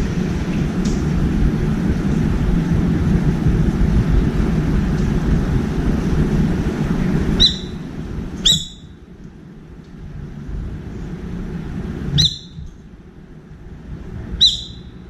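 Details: Brown-eared bulbul at a window feeder, calling to find a companion: four loud, shrill, short screeches with harmonics, two close together near the middle and two later, over steady low traffic-like rumble that fades midway.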